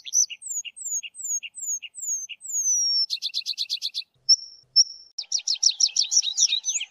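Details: Tree pipit song opening with a row of long, clear, downward-sliding whistles, then a rapid buzzy trill, two thin steady whistles, and a fast, dense chattering phrase.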